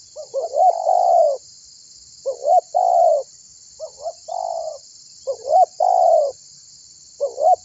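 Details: Lure call of a tekukur (spotted dove) meant to set other birds calling: five phrases of hollow cooing, each a quick double rising note then a long falling coo, spaced about every one and a half seconds, steady high hiss behind.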